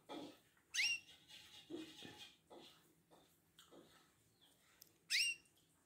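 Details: Male domestic red local canary, a five-month-old ready for pairing, gives a ngerek mating call during pairing: sharp rising whistled notes near the start and again at five seconds, with softer chirps and knocks between.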